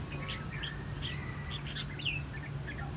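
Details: Red-whiskered bulbul from Quảng Nam, Vietnam, kept caged for six months, giving scattered short chirps and slurred whistles, with one clearer downslurred note near the end, over a loud low hum.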